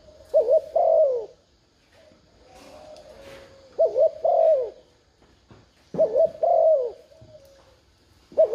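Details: Cooing spotted dove meant to draw in wild doves: four phrases, each a brisk doubled coo and then a drawn, slightly falling coo, spaced about two to three seconds apart, with faint rustling between.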